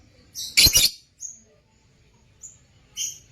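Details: Lutino opaline lovebirds kept in a cage: one loud, harsh double shriek, then several faint, thin, high chirps spaced through a quiet background.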